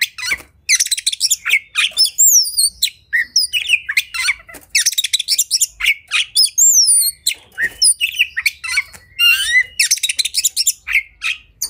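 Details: Oriental magpie-robin (kacer) singing agitatedly in a fighting mood, making other birds spread their tails: dense bursts of varied chirps, harsh buzzy notes and sweeping whistles high in pitch, delivered in rapid phrases with short pauses.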